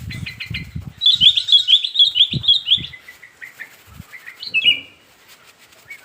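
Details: Sooty-headed bulbul, wild breeding male, used to prompt rivals to sing: a quick rippling run of high chirps, then softer notes and a final loud slurred whistle, with low thumps underneath.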